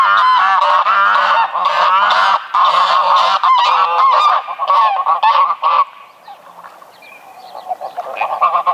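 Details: Greylag goose (Anser anser), honking call.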